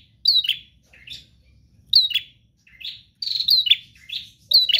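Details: Prinia singing 'gacor', full duration: short high chirp phrases repeated roughly every second and a half, each with a sharp whistled note, a faint low coo at the end.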